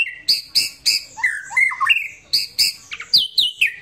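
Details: White-rumped shama giving a relaxed song: sharp clicking notes alternate with clear whistled phrases that slide and warble mid-clip, then bright high whistles and quick chips toward the end.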